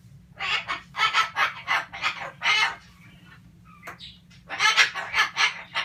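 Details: Pet male sulphur-crested cockatoo ranting: rapid bursts of harsh, raspy squawked syllables in a fast run, a short pause with a thin whistle-like note, then another loud volley.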